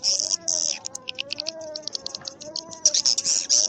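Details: Swiftlet lure call used to attract birds to swiftlet houses: dense, high, buzzy chirps repeated rapidly in clusters, with a steady low wavering tone running underneath.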